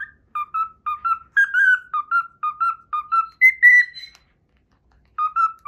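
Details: Pet cockatiel whistling the learned Pythagora Switch opening theme: clear tonal notes in short two-part phrases, dipping and rising, repeated in a steady pattern, with a higher sustained note near the end and a short pause before the phrase resumes.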